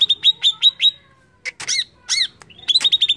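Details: Greater green leafbird lure song for stirring other birds: a fast string of high whistled notes, a pause, a few loud squeaky chirps, then another quick run of bright repeated notes.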